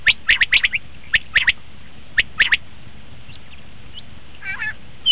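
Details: Common quail call played to attract quail for hunting: a quick run of four or five crisp notes, then spaced pairs and triplets, followed by faint distant replies.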